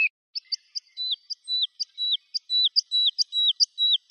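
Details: Woodlark song of sharp rising whistles alternating with drawn-out falling notes, repeated about every half second at a measured pace; quiet background.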